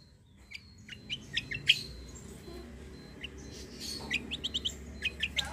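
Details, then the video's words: Kecial kombo white-eye, fighter quality, suited for tutoring other birds. Scattered sharp high chirps building into a quicker twittering series toward the end, over noticeable low background noise. "KECIAL KOMBO CUCAK KOMBO FIGHTER GACOOR || COCOK UNTUK MASTERAN"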